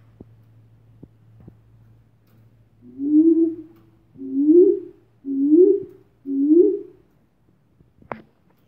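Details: Superb fruit dove recorded in Virovitica, Croatia: four low, soft hooting notes, each rising slightly at the end, about one per second over a faint steady hum, with a sharp click near the end.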